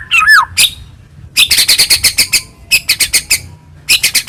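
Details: White-rumped shama song meant to stir another shama to sing: an opening descending whistled slur, then three groups of rapid, harsh, buzzy chattering notes separated by brief gaps.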